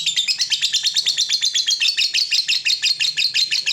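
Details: Long ngekek trill from a fighter lovebird, used as masteran training for young lovebirds: a dense, rapid chatter of shrill, buzzy notes repeated without pause, high-pitched and even.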